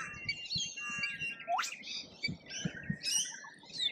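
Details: Rainbow lorikeets at a feeder in Australia, with shrill screeches and chattering calls, including a sharp rising squeal near the middle, over soft low thumps and background noise.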